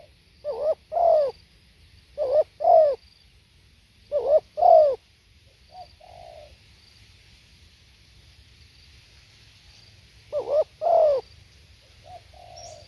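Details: Live spotted dove song: four phrases, each a short wavering note then a longer, falling coo, roughly every two seconds, with a pause before the last and soft trailing notes after.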